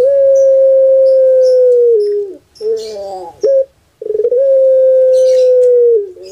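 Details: Kept Pelung turtle dove giving its full cooing phrase twice: a long, steady hoot falling at its end, a harsh gurgling rattle, a short clipped note, then another long sustained hoot; faint bird chirps behind.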